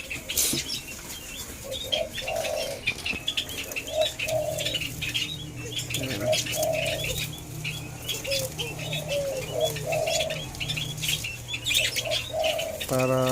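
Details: White-eared brown dove (alimukon) under taming, repeating soft hollow notes in small clusters every couple of seconds, partly masked by continuous high chirping, crackling and a low mechanical hum, ending in a loud buzzing burst.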